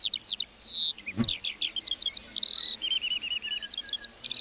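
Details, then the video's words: ['Lark singing in a meadow: high chirps and slurred whistles, a short sharp click near the middle, then a rapid buzzing trill before the twittering resumes.'] "Singing lark in the meadow"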